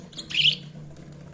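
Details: Budgerigar chirping: a brief, bright twittered burst lasting about a quarter second, high and slightly buzzy, then quiet with a faint low hum underneath.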